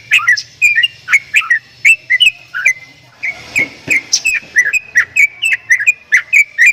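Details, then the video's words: Javan myna giving strange sounds: a run of sharp whistled notes around a steady high pitch, each note brief and bending, repeated roughly twice a second with short pauses and a faint low hum underneath. "JALAK KEBO BEESUARA ANEH"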